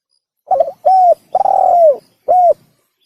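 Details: Hunting-lure call of the spotted dove, locally tekukur: a single phrase with a broken opening note, a steady arched coo, a longer wavering coo sliding downward, and a clean closing hoot.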